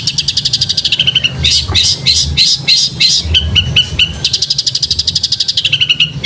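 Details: Masteran of a long-tailed shrike singing in the sparrow-fight style with speed roll: rapid buzzy rattling trills, then a series of sharp chirps about three per second, then another fast rattle, with a low background hum.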